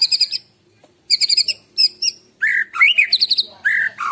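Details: Morning song of a white-rumped shama, used as a lure. Rapid trilled high notes come in quick bursts, then clear, rich whistled phrases at a lower pitch. The phrases vary and are repeated with short pauses.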